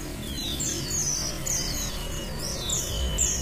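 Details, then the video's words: Several Malaysian pied fantails in Pemalang, Central Java, Indonesia, sing together in high, thin, squeaky phrases that rise and fall in quick overlapping bursts, over a low steady background hum. "Ombyokan Burung Sikatan ( kipasan jawa)"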